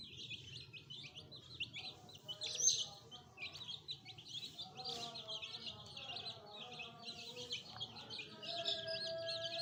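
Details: Many fresh chicken chicks kept as pets, newly added with a hen, keep up a dense chorus of thin high peeps, sharply bent and tumbling over one another, while a faint voice and low background hum sit underneath.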